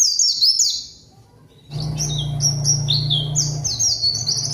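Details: Pleci (zosterops) lure song to summon a rival and prompt silent birds to sing: high twittered phrases of falling notes, a short gap, then further chirps over a steady low droning hum.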